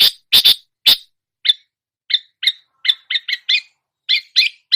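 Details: Long-tailed shrike, a songbird mimic, opens with three loud rasping notes, then shifts to softer, evenly spaced chirps, quickening into a short series of quick double notes.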